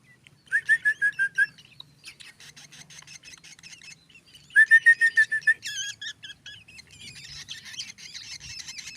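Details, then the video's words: Black drongo song recorded for teaching other birds: bursts of loud, clear whistled notes repeated rapidly, interspersed with buzzy, scratchy chatter and varied twittering phrases. "lolohan burung srigunting hitam"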